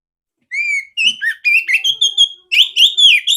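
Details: Female oriental magpie-robin with a big, clear voice, sung for other magpie-robins to learn from. After a short silence come pure whistled notes: one long, then upward and downward slurs, a steady held note, and a brighter closing flourish.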